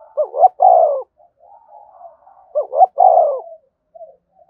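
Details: Spotted dove coo used to stimulate other doves to coo. Two loud phrases about two and a half seconds apart, each a short double rising note followed by a longer falling coo, with faint low murmuring in between.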